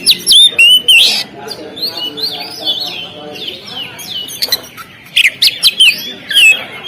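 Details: Oriental magpie-robin on the contest stand pouring out loud slurred whistles and harsh chirps, then softer varied warbling before another loud burst of phrases.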